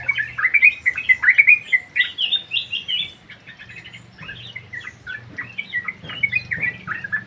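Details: Yellow-vented bulbul singing lively in an aviary: rapid bubbly whistled phrases, loud at first, then a quieter spell before choppy chirping resumes, with a faint low hum beneath.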